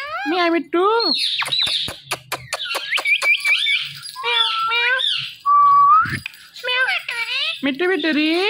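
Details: Pet Indian ringneck parakeet talking, saying "Mitthu": harmonic, voice-like arched syllables mixed with rapid clicks, a quick warbled trill and a steady whistled tone rising at its end, with faint low room noise between phrases.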